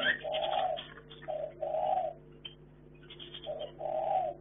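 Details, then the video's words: Chinese hwamei kept for breeding in a hanging cage, giving a series of short mellow warbled phrases in bursts with brief pauses, steady electrical hum beneath. "Burung Wambe"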